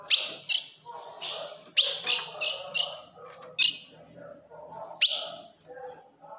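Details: Female ultramarine grosbeak calling to fire up a kept male: loud, bright chip notes in scattered clusters, some in quick doubles, with soft lower chatter and faint background noise between them.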